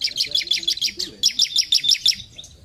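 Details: High, clear chipping song of a bar-winged prinia, two quick series of evenly spaced sharp notes, with soft low background noise.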